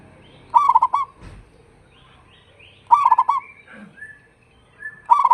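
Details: Local zebra dove with a big voice, used as a lure to draw answers from other doves: three loud stuttering coo bursts, each a quick run of rolling notes, spaced about two seconds apart, with thin higher whistles from other birds between them.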